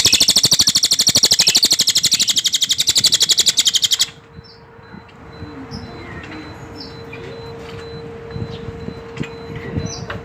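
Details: Cililin bird song heard as a rapid, buzzy pulsed trill of around four seconds that stops abruptly, leaving a steady low hum and scattered faint chirps.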